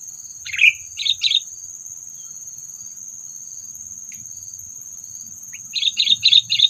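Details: Trapping lure call of the sooty-headed bulbul, meant to stir up predators: a sharp chirp and a pair of scratchy notes, a long pause with a steady high whine, then four rapid harsh chirps.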